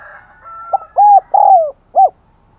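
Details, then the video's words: Spotted dove used as a decoy, cooing to lure others. After a faint higher whistled note, one low phrase follows: a short coo, two longer hollow coos with the second falling away, and a short final coo. "Chim Cu Mồi Thúc Gáy Gọi Mới Nhất / Kích Bổi Siêng Gáy , Có Cả Thúc"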